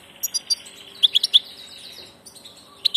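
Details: A migrant passage European goldfinch gives brief, bright tinkling notes in two small clusters separated by a pause, with faint background hiss.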